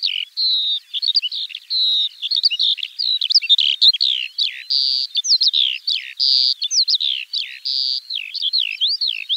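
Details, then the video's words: Long stretch of Eurasian skylark spring song, a fast, ceaseless jumble of whistles, sharp downward slurs and buzzy chirps, shifting pattern every moment, clean with no other sounds. "Kiurun / Leivon laulua | Skylark Singing"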